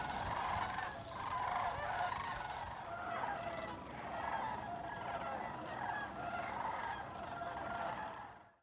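A flock of sandhill cranes gives rolling, trumpeting rattles that overlap into a steady, loud chorus with no break.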